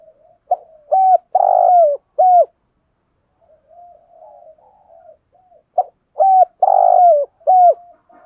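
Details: Spotted dove coo phrase played to provoke wild doves into cooing: a short note, a rolling buzzy coo and a falling final coo, phrase repeated twice with a soft quiet stretch between.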